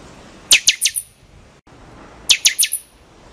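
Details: Two closely spaced phrases from a buffy-fronted seedeater, each a rapid string of four loud, snapping high notes with downward slurs, in a quiet setting.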